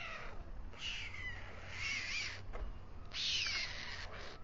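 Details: Two white stork chicks fed by the male at dusk on their nest on the Alcalá de Henares town hall tower. Rasping, hissy wheezes with whistled, falling and wavering tones come in three drawn-out bursts.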